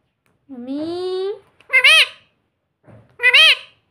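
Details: Pet parrot mimicking human speech, saying "mummy" and "papa". A drawn-out rising tonal note comes first, followed by two short, bright, two-syllable word-like phrases with clear pauses between them, in a quiet indoor room.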